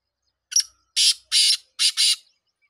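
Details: Loud, rasping phrase from a black francolin, a brief opening note followed by two harsh notes and then a closely joined pair, all coarse and scratchy, with silence around.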